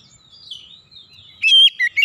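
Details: Oriental magpie-robin singing: faint thin warbling gives way to a sudden loud, ringing whistled note followed by two shorter bright whistles.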